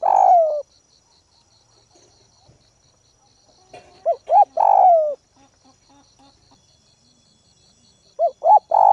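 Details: Spotted dove used as a Northwest ground decoy, calling to provoke rivals: a long falling coo, a pause, then short notes and another long descending coo, with faint distant dove notes, insect trilling and light rustling between phrases.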